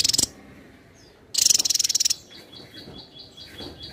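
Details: Javan tesia singing densely for a songbird-training recording: a short high burst at the start, then a longer rattling run of quick, sharp notes, followed by a regular series of faint high peeps from another bird.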